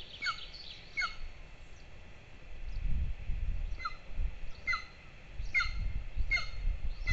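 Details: Golden eagle nest camera in Lahemaa, northern Estonia, 22 June 2024, two chicks being fed breakfast: short downward-sliding squeaks in small bursts, pausing between, with bursts of low rumbling noise.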